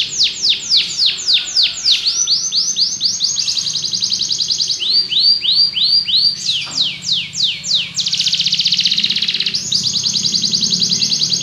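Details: Belgian canary song: series of high descending chirps, buzzy trills and a fast ringing rattle, changing phrase every couple of seconds, with a faint low hum underneath.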